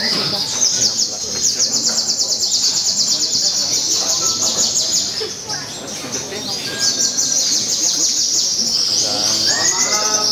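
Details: Crimson sunbird (sogon) singing in a bird-singing competition at an anniversary event in Tasikmalaya, delivering loud, long 'tembakan' bursts: a continuous high, rapid, buzzy trill, repeated in pulses with brief dips, over crowd chatter and other birds.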